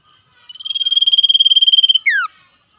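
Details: Trilling 'ngetir' song of a common iora answering wild birds: a rapid pulsed trill swelling in loudness for about a second and a half, then ending in a sharp falling slurred note.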